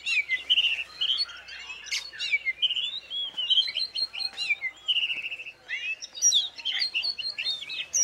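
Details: Champion caged oriental magpie-robin hung up alone with no tutor birds, singing a rich, varied run of clear whistled phrases, sliding and warbling notes and sharp high chips that flow almost without pause.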